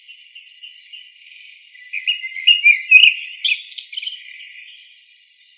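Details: Common blackbird singing, a sequence of varied whistled and warbled phrases, quiet at first and then louder and richer in the middle, with some higher twittering notes toward the end.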